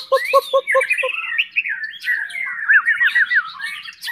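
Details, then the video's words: Spanish canary song opening with four or five low, evenly spaced chopped notes, then high fast warbling runs and a quick series of looping whistled slurs. "บินหลาสากล "นกจ้าวสเปน""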